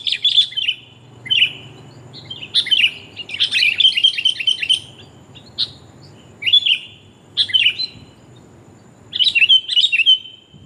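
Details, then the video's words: Female sooty-headed bulbul calls to a male, used for luring birds: repeated clusters of lively, slurred chirps, some single and some in quick chattering runs, spaced by short pauses over about ten seconds. "kutilang betina memangil jantan mp3 pikat burung kutilang paling jitu"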